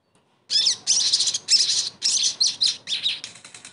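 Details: Sogon song used to restore singing in a bird that has gone quiet; a continuous run of loud, buzzy, high chattering phrases with hardly a pause.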